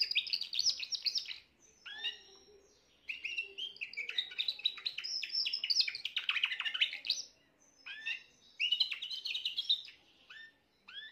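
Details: Young Spanish Timbrado canary of this year, recorded 14 June 2023, delivering long runs of rapid metallic trills and chirped notes in dense phrases, broken by short pauses, fairly loud and continuous.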